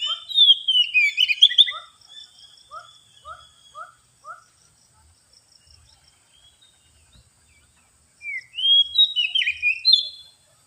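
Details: Oriental magpie-robin song used as a bird lure: loud bursts of varied, tumbling high whistles and twitters at the start and again near the end, separated by a quiet stretch of short, soft, low whistled notes spaced about half a second apart.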